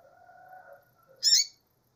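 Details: Faint low humming tones give way to one loud, harsh, buzzy chip from a female double-collared seedeater near the end.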